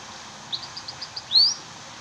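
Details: Munia (burung emprit) singing: a string of six soft, evenly spaced high chirps followed by a loud thin whistle that rises steeply, with faint hiss behind.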